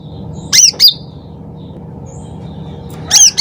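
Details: Sooty-headed bulbul singing loudly and actively, used as a lure: a sharp pair of high slurred whistled notes, a pause of about two seconds, then another shrill note, with steady low hum.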